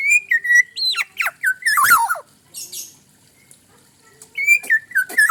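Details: Black-naped oriole song of clear fluty whistles that jump and slide downward, mixed with harsh scratchy squawks. The bird pauses for about two seconds, then resumes with a rising whistle and more downslurred notes.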